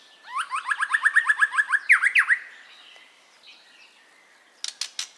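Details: White-rumped shama song meant to stir silent caged birds into singing: a fast rhythmic series of about a dozen rising whistled notes, two loud swooping notes, then quiet, ending with sharp clicky sounds.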